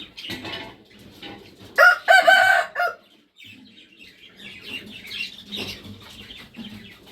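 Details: Red junglefowl crow: a single loud, rasping, harmonic crow lasts about a second, broken into two linked parts. Softer chirping and twittering from other birds continue before and after it.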